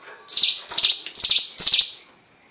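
A Hill prinia gives four loud, high, sharp chattering bursts, each a quick run of clipped notes, repeated about every half second.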